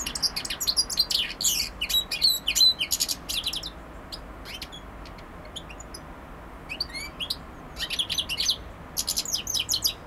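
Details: European goldfinch singing: bursts of bright, rapid twittering and tinkling notes with short buzzy trills, delivered in quick phrases separated by brief pauses; a steady low hum underneath.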